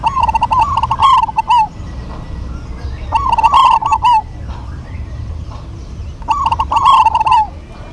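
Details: Zebra doves of a local strain in an active duet, the birds answering each other: three rolling cooing phrases, each about a second and a half long, with staccato clicks, repeating every three seconds over faint low hum.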